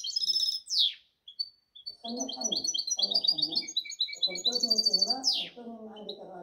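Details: A European goldfinch hybrid (goldfinch mule), recorded 2019–2020, sings a fast, tinkling twitter of high chirps and trills, while a man talks over most of it.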